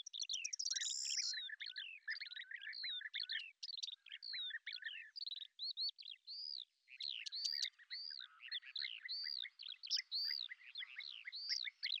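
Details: Lesser grey shrike filmed hunting in Azerbaijan delivering a long, continuous scratchy warble, mixing rattles, whistled upslurs and chirps with few pauses.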